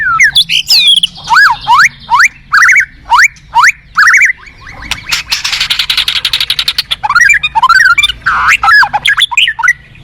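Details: White-rumped shama repeating loud looping whistled notes about every half second, then a dense buzzy rattling stretch, followed by more rapid varied whistles and chatter.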